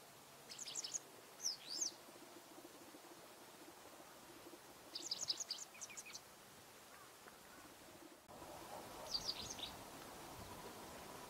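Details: A Japanese wagtail singing actively at a pond in warm weather on 8 March 2022 gives three short bursts of high, sharp, twittering chirps about four seconds apart over a steady low background hum.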